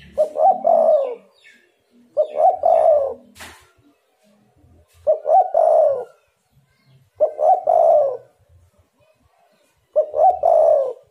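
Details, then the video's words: A spotted dove coos as a lure so other doves respond: five regular phrases roughly every two and a half seconds, each a clipped stuttering start and a long, throaty, descending coo. A brief click sounds near the middle. "derkuku super gacor bikin lawan langsung nyaut"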